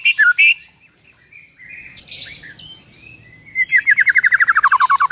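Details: White-rumped shama song for getting a mute bird to sing: a few loud warbled notes, faint scattered phrases, then a long rapid series of descending chipping notes.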